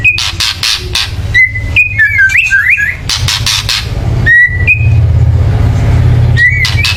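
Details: White-rumped shama giving agitated chatter intended to provoke singing: harsh rattles and short whistled slurs, with a steady low engine-like rumble in the background.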